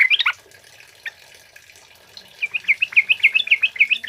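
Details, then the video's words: Male sooty-headed bulbul in lively wild-style song, used as a lure and tutor for other birds: a short burst of whistles, a pause, then a fast rising series of clear bubbling notes repeated several times a second. "SUARA BURUNG TRUCUK KEBO GACOR NGALAS COCOK BUAT PANCINGAN DAN MASTERAN"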